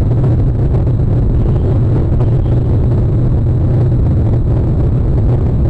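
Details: Steady loud rumble of an engine or vehicle with wind buffeting, dominated by low droning tones throughout.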